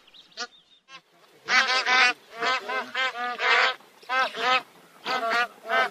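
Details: Bar-headed geese (Anser indicus) give nasal honking calls in rapid overlapping bursts, with brief pauses between loud clusters and a few soft notes opening the sequence.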